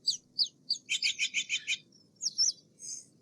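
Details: Steller's jay producing a quick run of seven short, grating notes in under a second, bracketed by scattered high thin chirps and a brief buzzy whistle from small birds.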